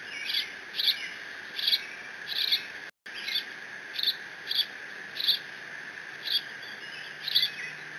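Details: Single bald eagle chick at Decorah on 30 June 2017, squeeing while it mantles a fish delivered by its father; high, slightly buzzy squeaks repeated about every half second to second, one brief dropout, steady hum behind.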